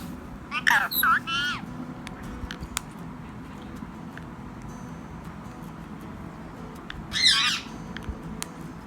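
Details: Tame ring-necked parrot talking in Urdu/Hindi: two harsh, squawky bursts of mimicked speech near the start and another short burst near the end, with quiet background and faint clicks between.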